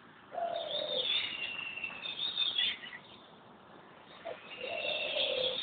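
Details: Wild bird in Corbett National Park, India. Clear, low whistles slide downward, mixed with a higher scratchy, chattering phrase, and the whistle returns after a pause, over a soft background hiss.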